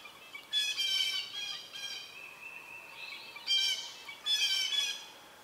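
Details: Young Southern Red-shouldered Hawks near fledging at the nest while an adult brings food, a snake; harsh, harmonic-rich squealing calls in three bursts, the middle one softer and lower.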